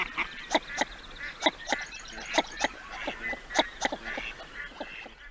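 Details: Male Northern Shoveler (Spatula clypeata) drake call in a wetland: short, hollow, knocking took-took notes about one a second in loose pairs over a soft wetland hiss; a distinctive call.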